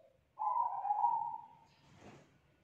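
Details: Loud-voiced young wild-caught spotted dove, kuk 2 type, giving one steady low coo lasting about a second and slowly fading, followed by a faint rustling noise.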